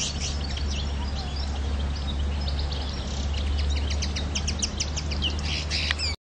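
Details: Common linnet on Pantelleria island, 9 January 2011: a run of rapid, thin, high twittered notes and brief trills, denser in the second half, with a constant low droning rumble underneath.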